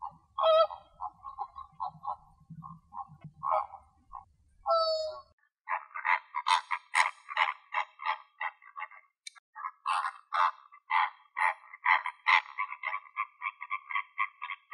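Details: Flamingos foraging in the morning in Greek nature give nasal, goose-like honks and gabbling grunts, at first spaced and then in a dense, overlapping chatter from many birds; a low hum runs beneath the opening seconds.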